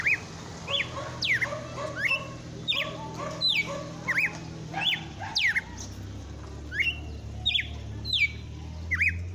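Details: Red-cowled cardinal singing intensely at the end of a pleasant afternoon: a steady string of clear, sharply slurred whistles, one or two each second, over a low background hum.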